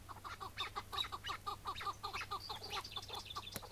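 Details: Chukar partridge on a May 2017 morning, during the capture of a wild bird that was afterwards released. It gives a quick series of cackling chuck notes that speed up and grow shriller toward the end.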